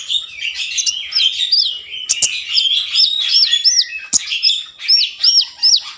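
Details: Lively common iora song meant to stimulate breeding mood and get other ioras singing: continuous chattering warble with looping high whistled notes, about two to three per second, and a couple of clicks.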